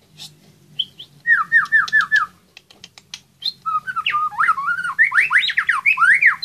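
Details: A competition white-rumped shama in an online singing contest sings a rich, varied song: a run of five quick slurred whistles, clicks, then fast rising and falling whistled phrases.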